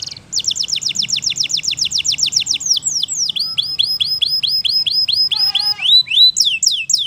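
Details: Canary in the wild delivering a long, evenly pulsed high trill of about twenty notes, shifting into faster sweeping downslurred phrases with a brief lower chatter near the end.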